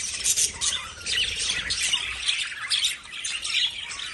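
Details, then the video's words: Lovebirds make harsh, shrill squawks and high chirps in irregular bursts, about one prominent squawk a second, over constant overlapping twittering from several birds. "Love Birds Sound"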